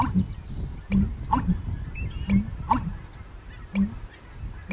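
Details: Male American Bittern in April gives its pumping call, made at dusk and dawn in spring and summer: deep, hollow booming pulses in quick succession, faint gulping clicks between, soft background hiss.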